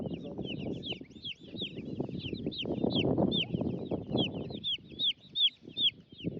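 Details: Homestead baby chicks and turklings roaming about, the chicks giving steady high, arched peeping chirps in quick succession, over loud low rustling, scratching and shuffling noises.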